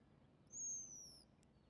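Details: A Pigeon Guillemot beside a ferry dock it nests under, Vashon Island, Washington, 20 June, gives one thin, high, hissing whistle holding steady then drifting slightly lower, under a second, over a faint low rumble.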